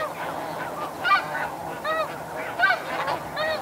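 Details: In flight over Chincoteague, Virginia, snow geese utter distinct barking honks, each a short harmonic yelp repeated roughly every second, over a softer background of flock calls.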